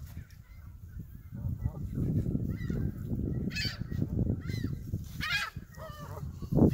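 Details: At Hawreluk Park Lake, Canada geese honk in loud bursts, several sharp nasal calls clustered in the second half, with constant low rumbling noise underneath.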